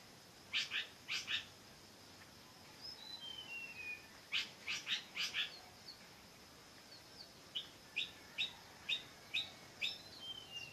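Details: Bird singing in bursts of sharp, bright chirps given singly or in quick runs, interspersed with thin, high whistled notes that slide downward, over a steady faint background hiss.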